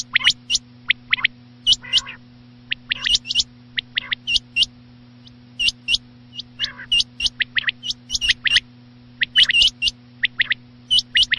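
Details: Quail calling at night in a dense run of sharp whistled notes in pairs and triplets, with occasional lower nasal harmonic notes, nearly continuous over a low electrical hum.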